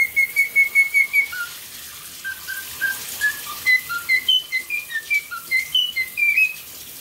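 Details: A 9-month-old male cockatiel whistles the Queen of the Night aria, learned from a video, in clear, quick staccato notes that leap up and down.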